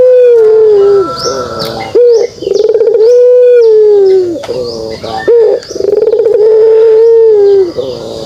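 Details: Kugeruk call of a pelung dove: drawn-out, steady, harmonically rich coos that sag in pitch at each phrase end, separated by short stuttering notes, in three main phrases.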